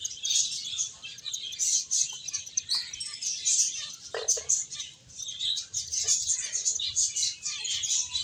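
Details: A finch flock at play and feeding, keeping up rapid high chirps and tweets throughout, with a few sharper clicks breaking through.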